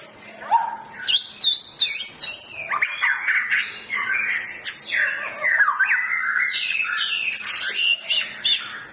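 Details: Medan long-tailed white-rumped shama during a pairing process for breeding: loud, varied whistles and scratchy chatter in rapid, tumbling phrases, falling into a continuous stream of mixed high notes.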